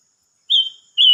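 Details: Silver-eared mesia giving two loud, pure whistled notes at a high, even pitch, the first fading out, the second beginning just before the end.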